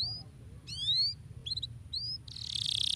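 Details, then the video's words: Canary singing to stimulate other birds to sing: clear high whistled and upslurred notes, a short stuttered phrase, then a dense buzzy trill to finish, over a low steady hum. "Canaries work well to stimulate the sound of the bird material"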